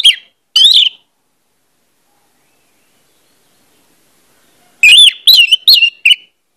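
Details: Orange-headed thrush lure song for prompting fast singing: two short whistled notes, a long pause, then a quick series of four rising, slurred whistles.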